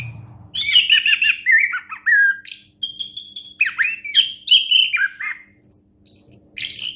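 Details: Orange-headed thrush, a competition-grade songbird, singing a varied run of harsh chattering notes, swooping whistles and high thin whistled phrases after a brief quiet start.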